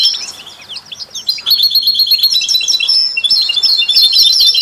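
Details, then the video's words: European goldfinch with canaries and mules, singing to stimulate other songbirds: quieter scattered chirps at first, then from about 1.5 seconds a sustained, rich, twittering warble of buzzy trills and sweet notes. "Stieglitz Kanarienvögel und Maultiere stimulieren alle Singvögel"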